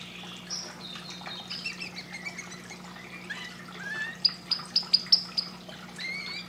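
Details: Canary singing: a quiet run of varied chirps and short whistled slurs, ending in a brighter burst of five sharp, evenly spaced high notes, over a steady low hum.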